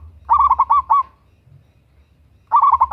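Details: Local zebra dove, a female calling the male, played as a lure for other doves: a burst of quick rolling coos around mid pitch, about five pulsed notes, a pause, then the same rolling phrase begins again.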